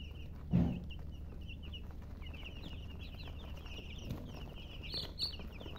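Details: Baby chicks give strings of thin, high, slurred peeps, quieter at first and thicker later, with a loud low thump early and a steady hum beneath.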